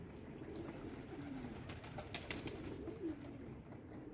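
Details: Pigeons cooing at breakfast feeding time: two quiet, low, drawn-out coos that dip in pitch, with a cluster of sharp clicks and taps around the middle and a low background hum.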